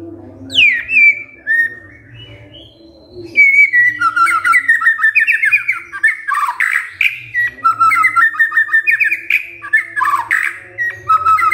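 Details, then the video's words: White-rumped shama, lure song to prompt other shamas to answer, opening with a high descending whistle and a short pause, then a sustained rapid medley of rising and falling whistles and scratchy chips; low hum beneath. "Murai DIAM Tersentak NYAUT GACOR Dengar Pancingan Murai ini"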